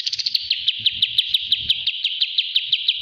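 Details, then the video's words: Kapas tembak bulbul from a master training recording delivering a steady string of sharp, slightly descending chirps about two per second over soft low clicking sounds. "master Ampuh burung kapas Tembak"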